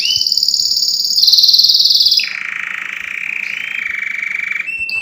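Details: Canary in strong song for birds to listen to: a high pulsing trill that rises briefly, then long lower rolling tours at an even rapid beat with a slight sweep at the close.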